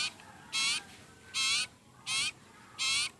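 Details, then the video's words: Hungry sirpu bird (sirtu) begging with four coarse, grating buzzy calls, each short and evenly spaced, over faint background noise. "Burung sirpu/sirtu lagi lapar berat"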